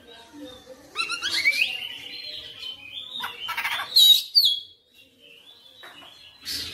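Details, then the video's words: Oriental magpie-robin in persistent, lively song showing its whole repertoire: sharp rising whistles, long sustained high notes and quick bright flourishes, with short pauses between phrases. "KACER NGOTOT GACOR FULL BONGKAR MATERI"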